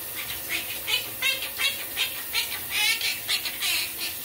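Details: A pet monk parakeet (Quaker parrot) singing in the shower, repeating a scratchy, high, speech-like tune ("bacon pancake" song) in quick bursts, about three a second, over the steady hiss of running water; Monk parakeet.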